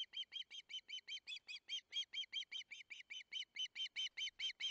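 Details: Osprey chick at a Barlinek nest, 19 July 2023, so hungry it nearly collided with another bird in the nest: clean, evenly spaced piercing whistles repeated quickly for the whole stretch, with no other sounds behind them.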